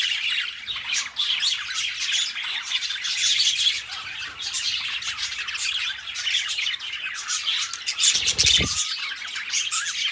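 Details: Pet budgerigars, two companion budgies kept indoors, chattering continuously with dense high-pitched chirps, squawks and warbling twitters, a busy bright stream of small notes throughout.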